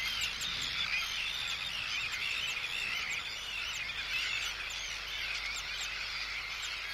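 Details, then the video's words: Arctic tern colony recorded close up, with anxiety and threat calls aimed at an intruder and calls from chicks; loud dense chattering of many high, harsh voices overlapping for the whole stretch. "Arctic Tern. CU Anxiety And Threat Calls At Intruder. CU Calls From Chicks."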